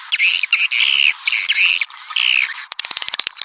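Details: Swiftlet calling sound for attracting swiftlets: four or five drawn-out buzzy chirps with thin whistled overtones, about one each half second, ending in a rapid run of dry clicks.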